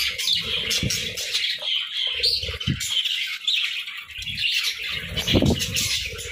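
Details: Several parakeets twitter together in the morning, steady high chattering and squeaky chirps running throughout, over intermittent low thuds and rustling.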